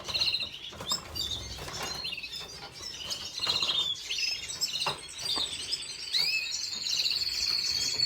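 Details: Red siskin singing, recorded 5 April 2022: a rapid, high twittering run of chirps and thin trills, with a bright rising whistle near the end, mixed with frequent clicks and rustling noises.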